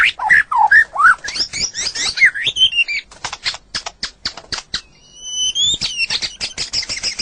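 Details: White-rumped shama song used as a master recording for songbird training: looping whistles and scratchy notes, then a run of dry rapid clicks, and finally a long high whistle over continued ticking.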